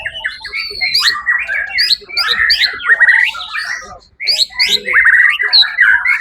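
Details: White-rumped shama in a songbird competition on 1 October 2023 delivers loud bursts of varied song, mixing clear whistles, harsh squawk-like notes and quick trills, separated by brief pauses, with one short silence midway.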